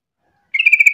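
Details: Trucuk, or sooty-headed bulbul, singing to prompt other bulbuls to answer: after half a second of quiet, a rapid series of bright, evenly spaced chirping notes begins and continues to the end.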